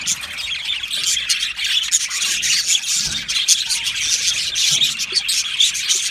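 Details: Flock of Australian budgerigars in an aviary, happy chirping: steady, thick wall of overlapping buzzy warbles and chirps with no pauses.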